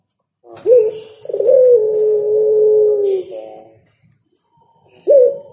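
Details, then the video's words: Spotted dove song: a brief coo followed by a long, sustained, throaty cooing phrase that slowly drops in pitch, a pause, then a fresh coo beginning, with faint chirps above. "Suara Burung Derkuku Yang Enak Dan Nyaman didengar Burung Tekukur Bernyanyi"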